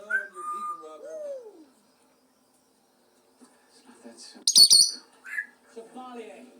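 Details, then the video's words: Blind African grey parrot, rescued a few weeks earlier from an illegal breeder and now at a bird sanctuary, calling to companions it cannot see. Speech-like warbling notes, a pause, then one loud, sharp, high screech and softer chattering. "blind African Grey Parrot cannot see his friends but he hears and communicates with them"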